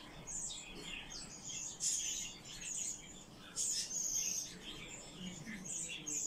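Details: Common chaffinch, one of several rescued birds kept by the owner, giving short, very high thin chirps in uneven bursts about every two seconds over faint low background hum.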